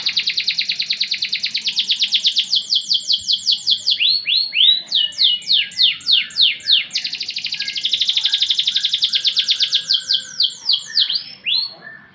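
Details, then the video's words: Canary song made of fast repeated high trills, each note sweeping downward, shifting through several trill types at different speeds across twelve seconds. "Burung Kenari 6"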